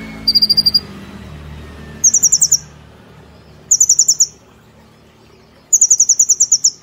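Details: Brown-throated sunbird song in the rapid 'nembak' (shooting) style with 'platuk cililin' phrasing, from a cage-bird training recording. Four bursts of sharp, very high, quick-fire notes, six to ten per burst, separated by short silent gaps.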